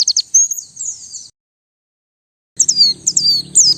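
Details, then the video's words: Twittering white-eye song for luring birds. Quick high chirps and a thin warble, a gap of over a second, then bright downslurred whistles repeated several times. "Suara Pikat dan Master Kicau Burung Pleci"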